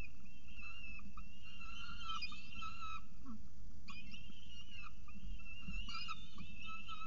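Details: Peregrine falcon at its nest at CSU Orange with a pigeon for breakfast, 24 October 2018, just before 8 am; wavering, harmonic wailing calls come in two or three bursts over a steady low rumble.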